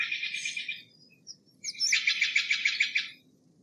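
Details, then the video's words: Two buzzy, rattling trains from a Steller's jay, the second longer with about eight rapid pulses, separated by a short pause. "Steller's jay Sound - Stellar's Jay Singing - Stellar Jay Scream - Stellar Jay Mating Call"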